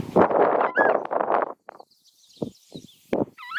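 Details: Southern screamer (Chauna torquata), a large waterbird of wetlands, flooded and rural areas of South America, giving loud, harsh trumpeting screams, a long run of blaring notes followed by four shorter honks spaced under a second apart.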